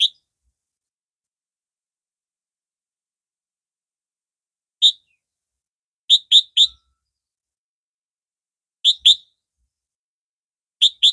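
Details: A captive red-vented sooty-headed bulbul, fed on banana and of the form found in central and northern Vietnam, gives short, bright, liquid whistled notes, singly or in quick bursts of two or three, with long silent gaps between.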